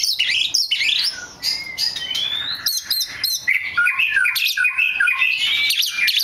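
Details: A black magpie robin, described as very rare, delivers a dense, continuous medley of bright whistles, twitters and slurred notes, some long gliding tones mixed with quick chirps.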